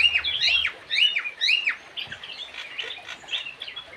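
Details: Javan cochoa: sharp, upslurred then downslurred whistles repeated roughly every half second. They are followed by softer, busier chattering notes.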